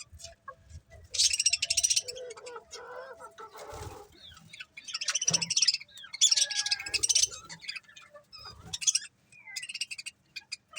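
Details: Budgerigars from a happy pet colony, chattering in loud buzzy bursts of high scratchy chirps, separated by quieter gaps, with a brief flutter of wings.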